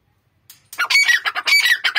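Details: A pair of grey francolins bursts into loud, harsh, rapidly repeated calls with ringing whistled notes after a brief quiet start.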